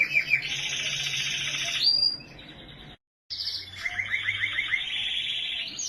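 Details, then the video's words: Canary singing in Norway: long, loud, continuous rolling trills and buzzy warbles, high and rapid, broken by a brief silent cut midway before the trilling resumes. "Canary singing in Norway"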